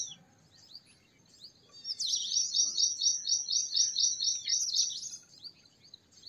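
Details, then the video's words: Purple sunbird: after a few soft, high chips comes a three-second, fast, regular trill of bright, repeated high notes, then a return to sparse twitters over faint background noise. "Purple Sunbird Songs - Purple Sunbird Sound - Purple Sunbird Call - Purple Sunbird Singing"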